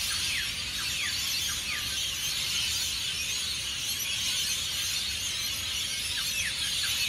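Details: Hundreds of colourful rainbow lorikeets calling together as they take off for the day from tall Norfolk Pines at Burleigh Heads, Australia; thick continuous screeching with repeated quick falling notes.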